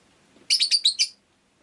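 A rosy-faced lovebird gives a quick burst of about five shrill, harsh chirps in just over half a second, with a quiet background.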